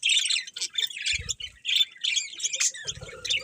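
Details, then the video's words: Several budgies chirp in quick bright bursts, with fast twittering notes and a few harsher squawks in steady chatter and occasional low knocks. "Beautiful Budgies Chirping Sounds"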